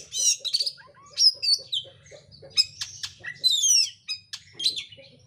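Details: Oriental magpie-robin (kacer) lure song for inciting singing: energetic, dense run of high whistles, rasping notes and fast falling trills, with soft rhythmic low ticks underneath at first.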